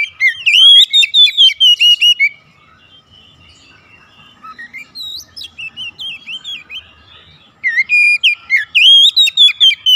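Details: Oriental magpie-robin kept at home, singing eagerly during daily therapy: rapid loud whistled phrases with sharp slurred notes, a softer stretch of quiet chips in the middle, then another bright burst of varied whistling.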